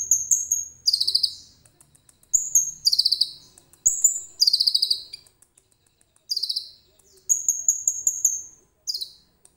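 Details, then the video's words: Common iora song carrying cililin imitation, recorded on a phone: short thin whistles paired with quick descending buzzy trills, repeated in clusters with brief silences. "KONIN GACOR FULL ISIAN CILILIN JERNIH"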